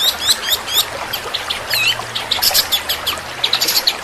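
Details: Super-fast 'tembakan' song of a long-tailed shrike, with long rolls: quick runs of high chirps, swooping up-and-down whistled notes and scratchy bursts packed closely together, a faint low hum underneath.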